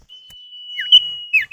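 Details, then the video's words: Common iora pair calling in answer to each other, used to draw other birds to call: a long steady high whistle held throughout, crossed by short falling slurred notes. "Pancingan Burung Sirtu atau Cipow, suara jantan betina bersahutan"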